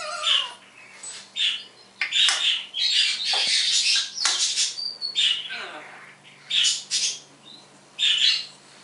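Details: Morning mimicry from a pet parrot copying phone sounds, game tunes and words: repeated high, raspy squawk-like bursts roughly once a second, some with short tonal notes, over a low background hum.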